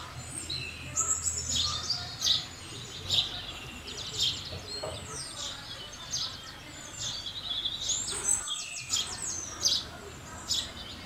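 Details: House sparrows chirping busily, with many overlapping short, bright chirps and twittering notes, a brief quiet gap near the end, and a faint murmur in the background.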